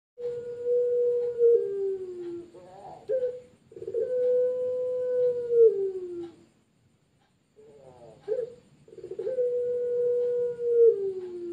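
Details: A Barbary dove (puter pelung) of a champion competition line gives three long, drawn-out coos, each held low and steady for over two seconds before sliding down, with brief rough notes between them.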